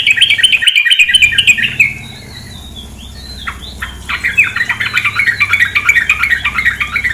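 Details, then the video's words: Female sooty-headed bulbul calling: rapid, scratchy chattering notes in dense runs, a brief pause, then a few sliding whistled notes before the harsh chatter resumes, over a steady background hiss of flowing water. "terapi suara trukcuk betina"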